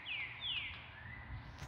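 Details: A rufous-bellied thrush sings in spring in a São Paulo city neighbourhood, around 8:30 am on 24 October at 22°C: two clear, descending whistled phrases and a softer rising note, faint against low city rumble.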